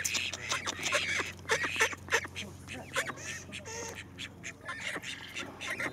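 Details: Several domestic call ducks kept as beloved pets, giving dense, overlapping nasal quacks and squawks in rapid irregular bursts, about three per second, with a steady low hum and possible voices underneath.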